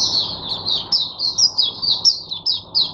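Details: Sunday song of a captive oriental white-eye serving as teacher bird for other white-eyes, 22 January 2022: one flowing, wavering high warble with rhythmic chirped accents about every quarter second.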